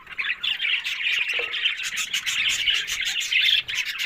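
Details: Budgerigars chattering on October 1, with continuous high, bubbling warbles and short squeaky chirps layered over one another. The sound dips for a moment near the start and again shortly before the end.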